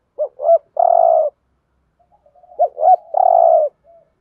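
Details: Spotted dove decoy coo in the 'thúc gù' style, 'giọng Thổ' voice, used to lure birds for trapping: two short throaty coos, then a longer vibrating coo, the phrase given twice with a quiet pause between.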